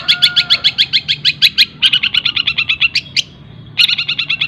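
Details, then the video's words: Long-tailed shrike, locally cendet, in rapid tengkek buto mimicry joined with greja and kunti phrases. Bursts of quick, high, slightly buzzy chips are broken by short pauses, the longest lasting about half a second. "CENDET ISIAN TENGKEK BUTO SPEED RAPAT SAMBUNG GREJA SAMBUNG KUNTI"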